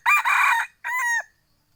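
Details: Second-generation (F2) hybrid red junglefowl crowing: a loud, harsh first phrase with a brief dip, a short pause, then a steadier, clearer drawn-out final note that cuts off abruptly; quiet background.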